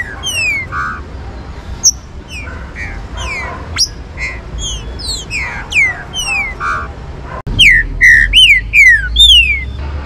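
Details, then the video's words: Green-winged saltators, played to warm up and stimulate other saltators to sing, give loud, clear whistled notes, mostly sliding downward and overlapping quickly as if from several birds, with an abrupt cut near the end. "ESQUENTAR TRINCA FERRO FRIO / ABRE CANTO PIXARRO"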